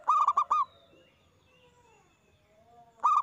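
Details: Zebra dove of local stock in loud song, played to prompt caged doves to reply: a clear four-note cooing phrase, a pause with faint distant whistles from other birds, then the next phrase starting.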